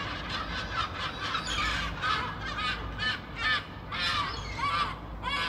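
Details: Gulls calling together, with overlapping harsh, honking cries repeated about every second and layered over steady low rumbling background noise.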